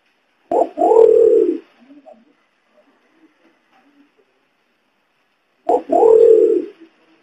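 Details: Imperial pigeon lure call, also known locally as kungkung or cakurra, used to attract the bird: a low, deep booming coo with a short lead-in note, given twice about five seconds apart, with faint soft sounds between.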